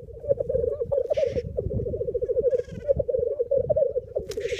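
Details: Black grouse males displaying at a lek in the Cairngorms on 28 April 2014, nine males with six greyhens visiting, recorded on an iPhone from a pop-up hide: continuous low bubbling rookooing chorus, broken by three short harsh hissing sneezes.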